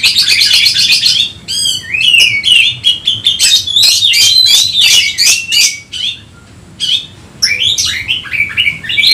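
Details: Kacer (Oriental magpie-robin) in Indonesia singing hard to challenge a rival: an opening rattle of rapid scratchy notes, then a long run of sharp clicks and bright whistles, a brief pause, and renewed whistled phrases.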